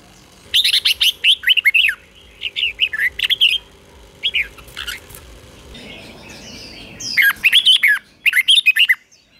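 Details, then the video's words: Red-whiskered bulbul singing the doubled 'beun' song style, used so young birds can learn to copy it: bursts of short, quick, warbled and slurred whistled notes, with a pause and a faint hum near the middle, then a final lively run. "เสียงนกกรงหัวจุกเบิ้ล2 ก๊อปติดง่ายสายปั่นลูกนกไม่ควรพลาด"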